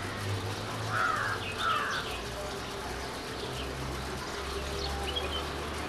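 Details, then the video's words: A female house sparrow at Valparai gives two quick, slightly harsh chirps about a second apart, then fainter high notes, over a steady low rumble. "Chirpping sound of a Female House Sparrow"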